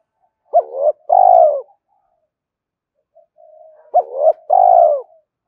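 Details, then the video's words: Spotted dove calling and driving coos to attract a rival: two full phrases, each a clipped rising note and a long falling coo, with faint soft murmuring between them and a clean, quiet background. "tiếng cu gáy kích bổi nhanh nổi hiệu quả, tiếng thúc và gáy gọi"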